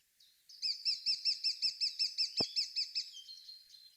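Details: Lesser spotted woodpecker (Dryobates minor) gives its agitation call, used by both males and females: a rapid, even series of about a dozen high, thin kestrel-like 'kee' notes over two and a half seconds, with one sharp tap midway.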